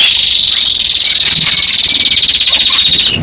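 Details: A male yellow canary delivers a fast, even rolling trill, very high and rapidly pulsed, sustained without a break in its melodic song.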